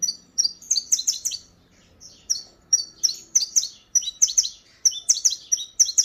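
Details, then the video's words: Canário-da-terra, the saffron finch, delivers a disparador song of fast, bright, piercing chirps in clustered bursts. A brief silent gap comes near the middle, then the rapid-fire phrases resume. "CANÁRIO TARZAN DISPARADOR"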